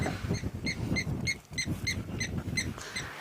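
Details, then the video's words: Blacksmith lapwing at a water inlet during a 7 September sunset safari drive in South Africa, near a young bull elephant, giving sharp, metallic 'tink' notes about three per second, like a hammer on an anvil, over a low engine-like rumble. "And behind him you can hear the call of the great blacksmith lapwing."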